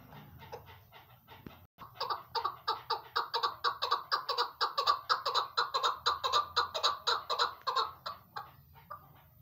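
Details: Female chukar partridge calling, as used in hunting: a rapid run of harsh, clucking chuk notes, about two per second, building into a steady chattering series.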